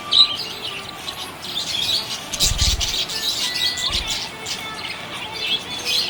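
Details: Happy budgerigar chirping: soft, high, scratchy chirps and warbling, joined partway through by two dull low thumps, over steady background hiss.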